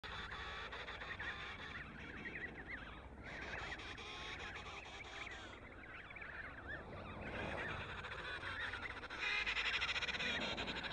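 A colony of emperor penguins: a dense, continuous chorus of overlapping braying, trumpeting calls with wavering harmonics, many birds calling at once with no clear pauses.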